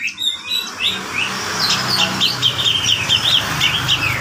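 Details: Female grey-cheeked bulbul from a breeding farm singing vigorously: a rapid run of high, twisting warbled notes, roughly one and a half per second, over a low steady hum.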